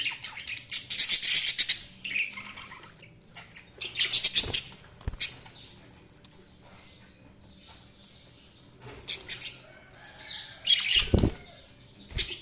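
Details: Budgie chirps come in loud, raspy, high-pitched bursts lasting about a second, separated by quieter pauses, with scattered softer chirps between.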